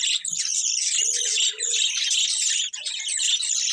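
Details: Colourful budgies in a steady wall of high chirping and twittering, several birds overlapping without a break.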